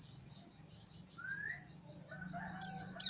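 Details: A white-eye, a fighter bird singing actively, gives a run of faint, thin, high chirps, then a few sharp, bright notes near the end, with a low hum underneath.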